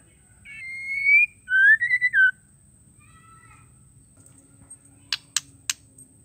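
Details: Female white-rumped shama, a call for prompting males to sing: a long whistled note, then a string of falling and rising whistled syllables, soft faint notes, and three crisp clicks near the end.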